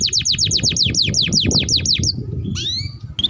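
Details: Canary song used to tutor other canaries: a run of about a dozen steeply falling whistled notes, then upward-sweeping chirps and a brief high note, with steady low background noise.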